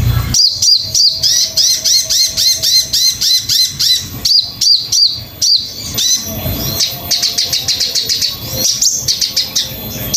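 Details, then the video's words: Master recording of a crimson sunbird, meant for teaching songbirds: fast strings of high, hooked chirps that tumble together, breaking into denser buzzy trills and twittering bursts in the second half. "MASTERAN BURUNG SOGON"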